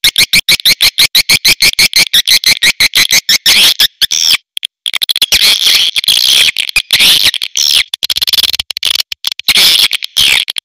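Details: Swiftlet calls in a dense stream of sharp, clicking chirps, evenly spaced at first, then merging into a busy, scratchy twittering chorus with short breaks.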